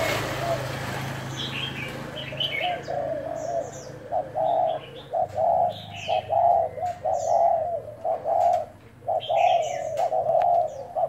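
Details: Spotted dove decoy of Thai type in a cooing trial on 1 November: after a quiet start, a steady series of mellow, looping coos, about one per second, with thin high chirps of other small birds between them.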